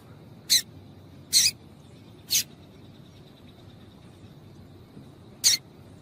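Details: Female double-collared seedeater calls meant to rouse males into song: three quick, high, sharp chips about a second apart, a pause, then one more chip, over a soft, steady low background.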